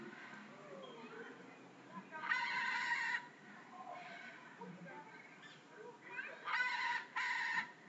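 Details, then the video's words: Red-and-green macaw at Bannerghatta Zoo, Bangalore, giving three loud, harsh, raspy squawks, each about a second long, over a low murmur of voices and chatter. "Red Macaw Parrot"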